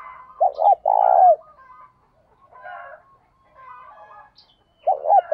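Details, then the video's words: Spotted dove call for training and exciting wild doves, with male and female birds stated to be included. A low two-note stutter runs into a long throaty coo, and a second phrase starts near the end. Faint bird chatter sounds in between. "tiếng chim cu gáy thúc kích bổi mới nhất, tiếng thúc đấu luyện mồi và bổi hàng ngày, cu cườm gáy"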